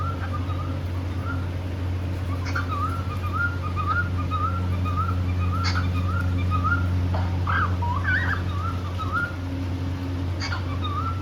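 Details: Happy pet cockatiel pair singing while playing: a run of wavy, warbling whistles repeated about twice a second, then a few higher rising whistles and sharp clicks, over a steady low electrical hum.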